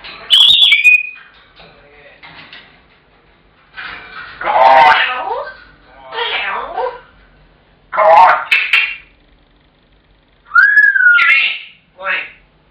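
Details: African grey parrot kept as a pet, shouting after its owner gets home until fed and again whenever the owner leaves the room; a sharp whistle followed by several loud, grating squawks and a bending whistled call, spaced a few seconds apart.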